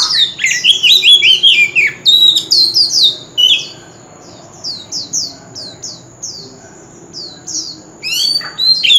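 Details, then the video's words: Male Oriental magpie-robin singing continuously in contest fighting style with wild-type voice: a loud tumbling run of sweet whistles and trills, then a string of short down-slurred whistled notes repeated about every half second over a constant high whine. "Chòe Than Trống Hót Liên Hồi – Âm Thanh Chuẩn Giọng Rừng - Chích Chòe Than Hót Đấu"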